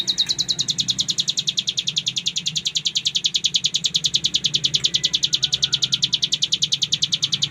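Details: Masteran recording of a cigun, the bar-winged prinia, giving full ngebren: an unbroken stream of rapid, shrill, metronome-like pulses, loud and even throughout, with faint low rumble behind.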